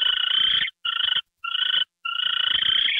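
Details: An owl given a mouse treat, 9:33 PM, January 28, 2013. Loud, rapidly pulsing rasps come in a long burst, two short ones, then another long stretch, over a background of soft scuffling.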